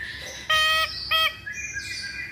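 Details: Masked laughingthrush sound meant as a lure to prompt singing: two loud, flat, harmonically rich notes about half a second apart, followed by thinner high notes.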